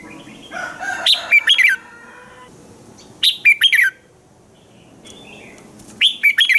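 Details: Red-whiskered bulbul singing in the morning, a lure for training other bulbuls to sing: three punchy phrases of rapid whistled notes about two and a half seconds apart, the first overlaid by a longer, lower chattering sound.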